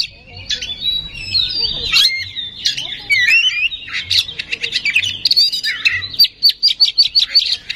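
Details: Oriental magpie-robin song used as a lure to provoke singing: varied, loud, whistled phrases with sweeping notes, then a fast run of short repeated chirps near the end.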